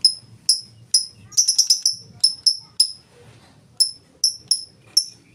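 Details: Lovebird 'ngetik' song, all ticking and no 'ngekek' chatter, used to coax other lovebirds into singing. Bright, high clicks come in quick runs, then a pause of nearly a second before the ticking resumes.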